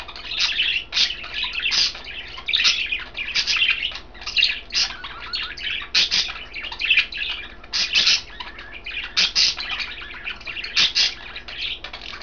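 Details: Three pet budgies in a cage enjoying kale, one green, one blue, one white; rapid chirps and scratchy chatter repeat in short bursts about once a second, with a few light clicks between.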